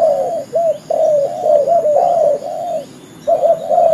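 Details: Spotted dove cooing for bird trapping, quick looping coo notes then a longer run of joined, undulating phrases, a half-second lull and a final pair of wavering coos.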